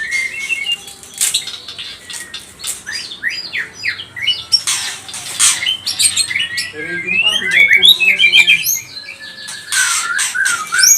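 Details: White-rumped shama song played to provoke rival birds; harsh scratchy squawks, loud broadband bursts and a run of quick whistled twitters.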